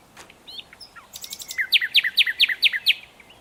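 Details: Singing nightingale: soft introductory notes, then about ten loud, evenly spaced, sharply descending notes repeated roughly five times a second.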